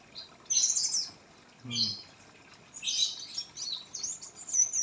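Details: Sparse, high-pitched twitters and chirps from a misted oriental white-eye, coming in a few separate bursts with quiet gaps, plus one short low sound.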